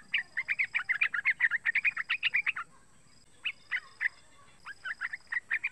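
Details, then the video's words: A young yellow-vented bulbul of about three months gives lure calls: a rapid run of twittering chirps, a brief pause, then sparser, evenly spaced sharp notes, with a faint hum behind. "SUARA PANGGILAN TRUCUKAN MUDA"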